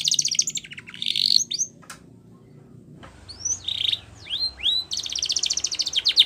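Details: Spanish Timbrado canary singing for training, with a rapid metallic trill and a buzzy phrase, a pause of near silence, then curved whistled sweeps and another fast ringing trill.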